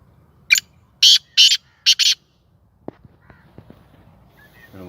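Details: Tame caged black francolin of the Sindhi type giving its first call. It makes a quick rhythmic phrase of five loud, rasping, buzzy bursts, followed by soft clicks and a rising noise.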